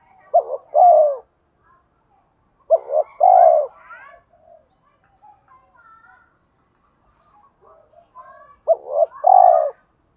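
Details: Spotted dove used as a lure bird, giving three spaced coo phrases of short notes and a falling coo, with scattered chirps and twitters from other small birds in between.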